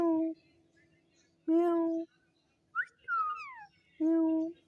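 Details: Talking pet parrot, reported to say its name, gives three level, voice-like syllables spaced over a second apart, with a falling whistled phrase between the second and third.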